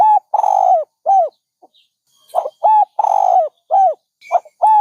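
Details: Mellow dove coos: a long drawn coo, a short coo, then after a pause another phrase of quick coos, an extended falling note and closing coos. Faint high bird notes sound behind.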